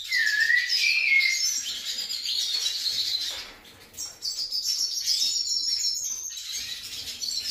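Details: A kept White-necked thrush sings a rapid run of high, twittering and whistled notes, pausing briefly midway before another bright warbled burst.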